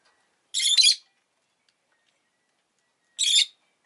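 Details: ['A pet rosy-faced lovebird gives a rough, doubled chirp, then after two and a half seconds a single harsh chirp, with silence around them.']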